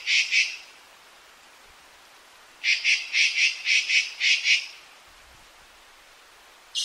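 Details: Azure-winged magpie calling: short harsh rasping notes, a pair then a fast run of about seven repeated buzzy chatters, with a quiet gap between bursts.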